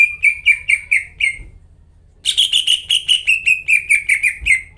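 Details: Greater green leafbird (cucak ijo) in full, vigorous song, used as a lure to prompt silent leafbirds to sing: a short run of bright, slurred notes at about five per second, a pause, then a longer rapid run; faint low hum.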